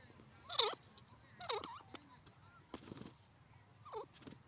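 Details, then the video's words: A pair of francolins calling: short, loud, harmonic notes that bend up and down, given in bursts about once a second with uneven gaps, over a low steady background hum. "teetar ki boli dakhni teeter pair ki awaz"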